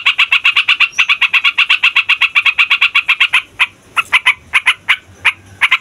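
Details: Fighter yellow-vented bulbul rolling a song used to provoke other songbirds: a fast steady train of harsh notes for over three seconds, then slower, spaced chattering bursts.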